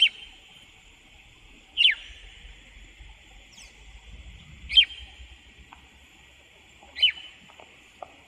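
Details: Chalk-browed mockingbird vocalizing in Brazil: four loud sharp whistled notes, each a quick downward-sweeping stroke, spaced about two to three seconds apart, with a steady faint high hiss and scattered low rumbles between.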